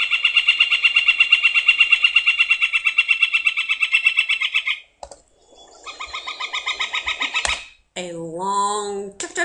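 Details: Northern Flicker giving its long, drawn-out repeating call, a steady run of loud, ringing "chuck" notes, nearly three a second, for about five seconds; a shorter series follows, then a man's voice.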